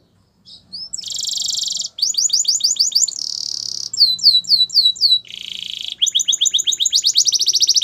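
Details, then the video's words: Canary training song: varied phrases switch quickly between dense buzzy rattles, rapid downslurred whistles and a fast high trill, with a faint low hum beneath. "Canary's Most Powerful Song For Training"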